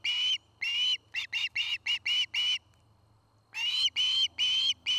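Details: Osprey at a nest cam in Charlo, Montana, near a Great Horned Owl family's treetop home, recorded 09-05-2018: bursts of high, harsh whistled notes, a pair, then a rapid run of five, a pause, then more.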